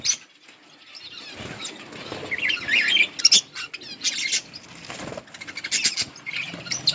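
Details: Budgerigar colony feeding on green leaves; scattered bursts of bright chirps and warbles between quieter gaps, with rustling and fluttering noises mixed in.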